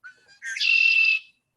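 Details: A territorial Red-winged Blackbird of summer fields sings a short clear note, then a harsh, buzzy trill held for nearly a second, the familiar conk-la-ree, with no other sounds.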